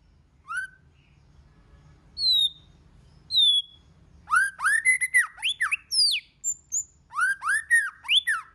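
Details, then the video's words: Song of a white-rumped shama, varied and many-voiced, used to urge shamas to sing: a few isolated high whistles, then rich arched slurred phrases in quick bursts separated by brief gaps. "Kích Chòe LửA HóT,chòe lửa hót nhiều giọng"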